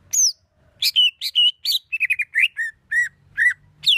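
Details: Songbird master of the 'tembakan kasar' style for teaching contest birds: a series of separate loud sharp notes, some rising, others slurring downward into short whistles, spaced irregularly with quiet gaps.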